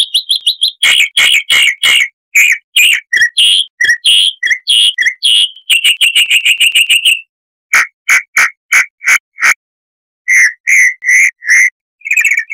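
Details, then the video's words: Chalk-browed mockingbird in a long harsh-voiced medley used to tutor cage birds: runs of repeated rough notes and rapid chatter separated by short pauses. "Masteran Burung Luar Negeri Suara Kasar - Chalk-browed Mockingbird (Mimus saturnin)"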